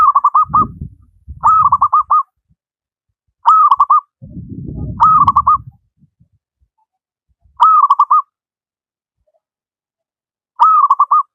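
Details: Zebra dove, a local wild bird in full voice, serves as a master song for doves that rarely sing; repeated stuttering coo phrases every few seconds, with low rumbling noise underneath early on.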